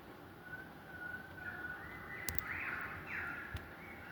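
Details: An unidentified wild bird calling at 5am, heard from a balcony in Australia: long level whistles stepping up in pitch, with two sharp clicks and steady low background noise.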